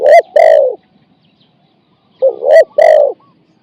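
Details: Decoy spotted dove cooing during a lure-and-catch session, 'ang' style: two separate bursts, each a short note then a longer hoarse coo, with a long silent gap between.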